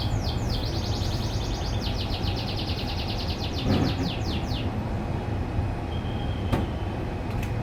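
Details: Privately bred domestic canary singing in the morning: a long, fast, even rolling trill of repeated high notes gradually fading, followed by a brief thin whistle, against constant low rumbling noise.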